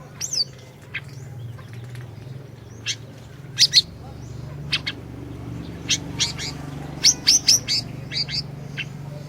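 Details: Orange-bellied leafbird singing, recorded as a lure to prompt a silent leafbird. Sparse sharp high chips scattered through the recording, some in quick doublets and triplets, over a low steady hum.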